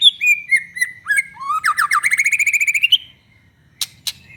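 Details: White-rumped shama ('gacor' murai batu) singing to provoke other shamas: loose whistled notes lead into a fast, even trill of about fifteen rising notes, followed by silence and two sharp clicks.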